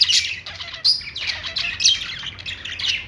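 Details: Happy budgie chatter: a busy stream of rasping squawks and bright whistled chirps, quick and overlapping, in a short burst from pet Australian parrots.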